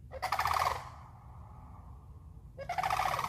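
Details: Sandhill cranes in a swamp give two loud, rolling, trumpeting rattles about two seconds apart that echo, with a low rumble underneath.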